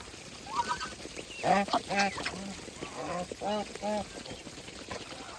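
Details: Farm geese calling while feeding: a series of short, nasal, harmonic honks, several in quick succession around the middle and two more spaced near the end, over soft background murmur.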